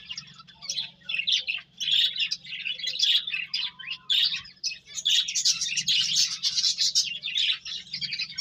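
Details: Busy chatter of finches feeding and playing: overlapping rapid high chirps and buzzy twitters running almost without break, a low electrical hum underneath.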